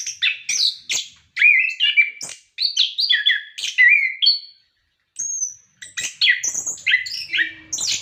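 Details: Energetic orange-headed thrush song for prompting caged birds: continuous varied phrases mixing clear whistles, buzzy slurs and rapid chips, one thin high drawn-out whistle after a brief pause, then more tumbling phrases.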